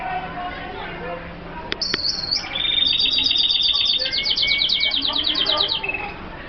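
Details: Twittering song of an F1 hooded siskin, tropical birds of Colombia: a buzzy high phrase, then a steady thin whistle merging into a rapid pulsed trill for about three seconds, with quieter chirps around it.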